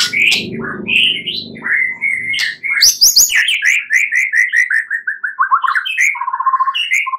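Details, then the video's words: White-rumped shama song at night, used as a lure to make birds sing actively and long: varied whistled phrases, then a fast run of repeated bright notes that falls in pitch, ending with a low warbled trill. "Pancingan murai batu MALAM HARI agar GACOR dan NGEPLONG"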